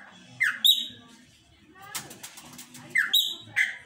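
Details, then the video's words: Chopi blackbird song: short bursts of clear, slurred downward whistles and sharper ringing notes, with a pause, then a brief scratchy rustle before two more whistled notes. "Pássaro Preto Cantando"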